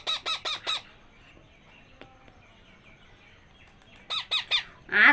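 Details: Two hungry parakeet chicks being hand-fed give four loud, harsh, rising squawks in quick succession, a pause, then another burst of four raspy begging calls; faint room noise between.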